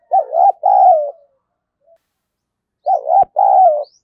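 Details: Spotted dove used as a decoy bird, giving an eager, lively coo: two low, warbling phrases, the second longer and falling, repeated after about two seconds of silence, with faint high ticks in the background.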